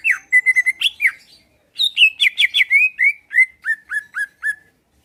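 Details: Greater green leafbird, a caged songbird, singing fast to provoke rivals into reply and combat; quick ringing notes, a brief gap, then a descending series of clear whistled slurs fading out.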